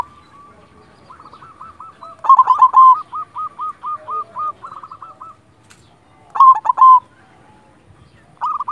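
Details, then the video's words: Perkutut, a local silver zebra dove, in full song: a long chain of short hooked coos repeated several times a second, broken by loud rolling bursts, a pause, then another burst. "Perkutut silver gacor"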